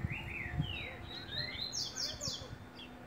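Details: Green-winged saltator singing on 10 April: clear whistled phrases, first rising then slurring down, followed by a run of higher sharp notes; low background rumble and brief voices.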